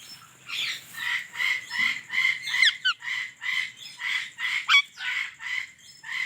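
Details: Indian ringneck parrot chirping steadily: a continuous series of raspy squawking notes, about two each second, with a couple of sharp clicks mixed in and a faint high whine.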